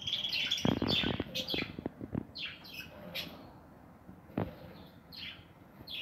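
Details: Budgerigars in an aviary with nests: a loud jumble of chirps mixed with clicks and rustling, then softer falling tweets spaced about half a second apart against a steady low hum.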